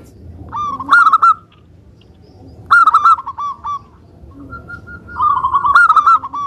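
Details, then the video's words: Lively local zebra dove, Indonesia, singing as a lure to draw replies from other doves: three bursts of rolling, bubbling coos separated by pauses of about a second. "Perkutut Lokal Suara Gacor - Untuk Pancingan"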